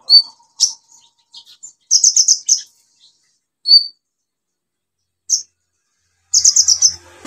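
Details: Energetic song of an olive-backed sunbird, offered to coax sunbirds that have gone quiet back into song: scattered sharp high chirps and short rapid trills of four or five notes, separated by silences.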